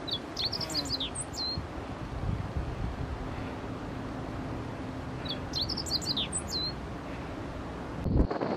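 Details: Meadow bunting singing on a rock, delivering two similar brisk phrases about five seconds apart, each a rapid string of high, piercing chirps and slurred notes, with steady low background rumble and a brief knock near the end.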